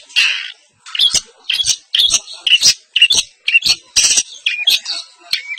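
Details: Long-tailed shrike (pentet) in East Javanese style singing isian: a steady string of short scratchy, squawking notes about once a second, mixed with sharp clicks and brief whistled accents.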